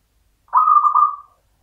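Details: A single short trilled coo from a champion local zebra dove in Mataram rhythm style, three quick pulses merging into a steady, slightly fading tone, otherwise quiet.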